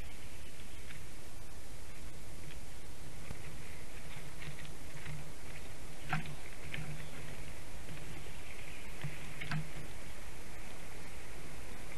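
Steady low rumble and hiss with a few faint taps and clicks; no clear animal voice.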